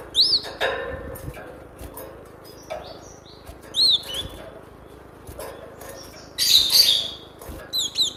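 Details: Cinereous tit singing strongly, used as a training lure for captive birds. Whistled notes that rise and fall are spaced a few seconds apart, broken by a loud scratchy churring burst, then a quick run of whistles.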